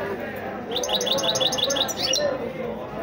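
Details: Goldfinch rolling and singing, giving a rapid string of high, clipped twittering notes at a steady pace, with a low hum of voices in the background.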